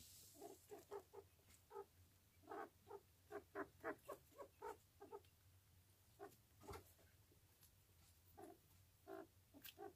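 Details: A jumbo Japanese quail with its chicks gives soft, low clucks in loose bursts of two or three, about twenty notes over ten seconds, with a quiet hum behind.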